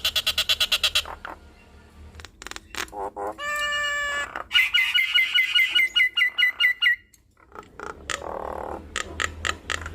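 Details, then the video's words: Nias hill myna reeling off its repertoire: a fast chattering burst, a stacked buzzy tone, then a rapid series of clipped whistled notes, followed by scattered chips and harsher calls. "Jalak Nias Gacor Bongkar Isian"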